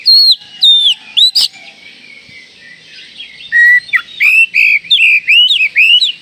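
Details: Oriental magpie-robin call said to stir up other magpie-robins within seconds: loud, clear whistled notes, many bending down or swooping, given in quick uneven bursts of about two per second after a quiet pause.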